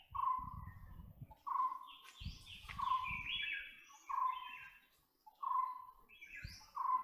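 White-bellied woodpecker giving six loud, clipped notes about every 1.3 seconds. Higher chirps from other birds and low thumping rumbles come between them.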